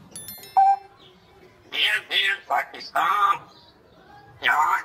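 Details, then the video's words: A talkative grey parrot gives a short, clear whistled note, then a run of three speech-like words and a final spoken phrase in a high, nasal voice. "So Much Talkative Grey Parrot / Talking Parrot"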